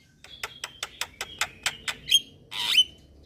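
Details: Starling lure call meant to draw Javan, black-winged and Nias mynas into responding: a run of harsh, evenly spaced rasping notes with a thin whistle on top, then a louder drawn-out buzzy squawk.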